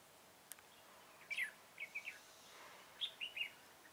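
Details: Red-whiskered bulbul at a trapping session with a decoy bird, 21 September 2017: two groups of quick, bright, slurred chirping notes, three notes each, over a quiet noisy background.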